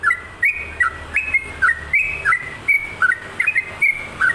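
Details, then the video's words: Energetic sooty-headed bulbul song used to prompt and tutor other birds: repeated clear whistles, each a quick high note dropping to a lower burble, delivered roughly three times a second in steady succession. "SUARA TRUCUKAN GACOR COCOK UNTUK PANCINGAN DAN MASTERAN"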